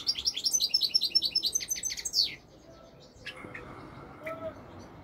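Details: European goldfinch, the royal goldfinch of Morocco, pouring out a quick series of high liquid twitters for about two seconds, then falling quiet apart from faint scattered chirps.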